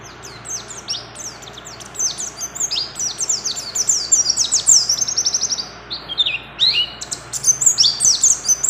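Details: High twittering song from a breeding-condition female mountain white-eye calling to a male: quick downslurred chirps tumbling in irregular clusters, building into busy chattering runs with short gaps.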